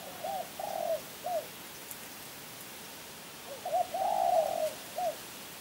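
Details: Spotted dove, a Kebon Kacang champion, sings two cooing phrases about three seconds apart, each a few short hooked notes around a longer drawn-out coo, mellow and clear over faint hiss.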